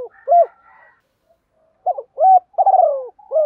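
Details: Spotted dove decoy cooing in thổ pha style to provoke wild doves: one low hoot, a faint hum and pause, then a phrase of short hoots, a rolling downward coo and a final hoot.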